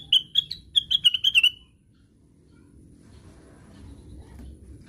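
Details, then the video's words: Plaintive cuckoo in 'ngigau' style gives about seven fast whistled notes in a slightly descending run with a short trailing tail, followed by a low background murmur. "KICAUANYA KLASIK....BURUNGNYA NYENTRIK...CUCAKWILIS SEDANG NGIGAU"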